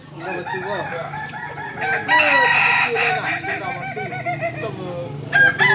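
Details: Kukuak Balenggek rooster from Solok, West Sumatra, at a practice gathering. Busy clucking and chirping fill the first two seconds, then a loud, rough crow of about two and a half seconds breaks out, followed by more clucks.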